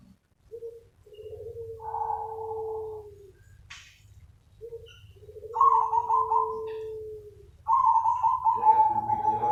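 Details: Zebra dove (perkutut) lure call: a brief soft note, then a long level coo, given twice, closing with a fast stuttered run of cooing notes; faint low hum beneath.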